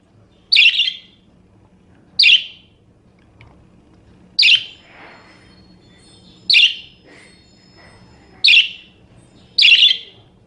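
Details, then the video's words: Budgerigar chirp series offered as a training recording for songbirds: six sharp, buzzy chirps spaced one to two seconds apart, with a soft rustling noise and a low steady hum beneath. "Suara Kicau Burung Parkit"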